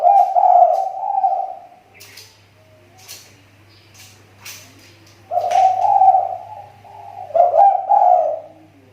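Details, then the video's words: Spotted dove kept as a lure bird, its voice recovering after a recent drop: low, husky cooing phrases, one long phrase at the start and another group after a pause, with faint clicks and a low hum between. "SUARA TEKUKUR PIKAT SI TAKUR,SUDAH MULAI MEMBAIK"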